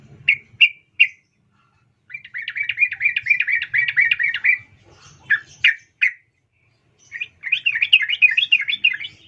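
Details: Female sooty-headed bulbul calling to a male: short bright chirped notes, then a rapid run of bubbling warbled notes, more single chirps and another quick burbling phrase, with a faint low hum underneath.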